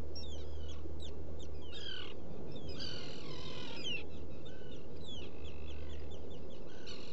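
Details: Black guillemots at a nesting burrow on Seal Island NWR, Maine, picked up by a burrow camera on 14 June 2018 around 05:30. Thin whistled and harsh harmonic calls come in quick irregular bursts over a steady low rumble of wind and surf.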